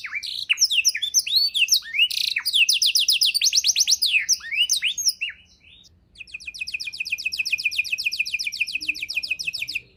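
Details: Canary in a lavish 'isian' fill-in style, offered as tutor song for other birds: bright rising and falling chirps give way to fast even trills, then a short gap near six seconds and a long, rapid, steady high roll.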